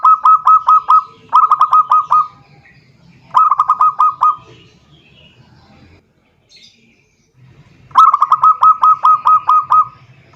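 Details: Zebra dove summoning a rival with repeated phrases of fast, rhythmic cooing pulses, four bursts of five to nine notes each, separated by short silences, loud and clear.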